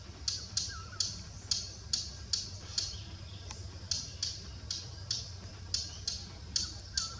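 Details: A Thick-billed warbler calling continuously from bushes in Buxa, India, gives a steady series of hard, dry ticking calls, about two or three each second, over a low background rumble.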